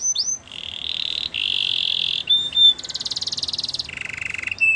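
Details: Canary singing through a hissy background: chains of rapid rolled notes at changing pitches, with brief sharp whistles between the rolls.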